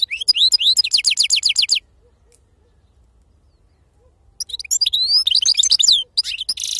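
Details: European goldfinch of wild origin giving its serfati-style song: rapid descending twitters and a short buzzy trill, a quiet gap of over two seconds, then a renewed burst of high chattering notes.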